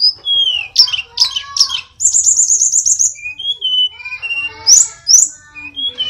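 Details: Sulingan gunung, a songbird of Indonesia's flycatcher family known as tledekan, sings energetically with sweet falling whistles, a fast high buzzy trill, and scattered clear notes at varied pitches.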